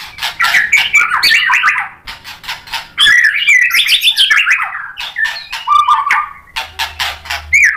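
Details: White-rumped shama in full song, used to provoke other shamas into singing and showing off mimicked material; dense rapid run of scratchy, warbled phrases and sliding whistles with sharp clicks, continuous for about eight seconds.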